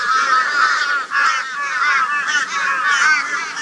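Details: Flock of crows mobbing a barn owl in Brisbane, Australia, on 22 February 2022: loud, raucous, harsh calls overlapping continuously, wavering and nasal, with barely a pause in the din.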